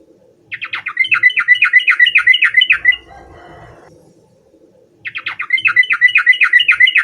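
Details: Yellow-vented bulbul, singing to call a rival: two loud, rapid runs of about a dozen bright, chattering, up-and-down notes each, separated by a short pause filled with a soft low rumble.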